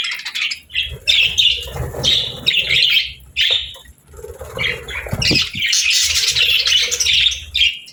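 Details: Cheerful budgerigar chatter made of short, bright, high chirps in quick clusters with scratchy squawks. Lower background murmur and a brief low thud near the middle.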